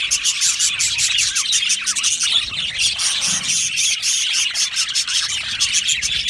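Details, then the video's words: Aviary colony of budgerigars singing and chirping together, rapid overlapping twitters and scratchy warbles that rise and fall, continuous for the whole stretch. "Beautiful Budgie singing and chirping sounds"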